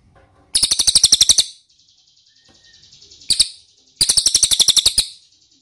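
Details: Lure recording of the ashy tailorbird meant to draw responses: a fast run of high chirps, a faint softer trill, a brief two-note burst, then another rapid chirping series.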